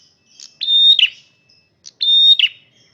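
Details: Loud song of a male red prinia: two phrases, each a steady high whistle that breaks into a buzzy, falling flourish, about 1.4 seconds apart, with short faint notes between them.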